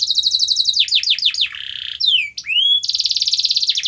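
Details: Canary singing used to encourage a lazy canary: quick rolling notes, a few sharp downslurred whistles, a brief buzzy tour, curved swooping whistles, then a rapid high trill to the end.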